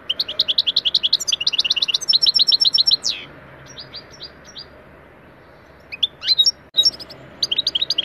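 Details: European goldfinch song used as a training lesson, in the Turkish 'taneli çipet, bol cibili' style: fast runs of high chirping notes, a buzzy trill, a pause with sparse tweets, then renewed twittering.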